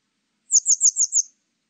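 Grey wagtail giving a quick burst of five sharp, very high, thin notes, about six per second, against a quiet background.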